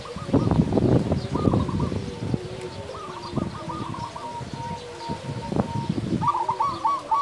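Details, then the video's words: Local zebra doves sing a lure song meant to stir other doves. Short trilled coo bursts sound over heavy low thumping and handling noise, with a thin sustained tone in between. "perkutut lokal gacor suara besar"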